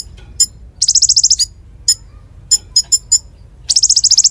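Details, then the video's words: Konin in lively song, used for tutoring magpie robins and fighting doves: scattered sharp high clicks between two fast buzzy trills of about ten pulses each. "Masteran Konin Gqcor Nembak Full isian Buat Isian Buring kicau"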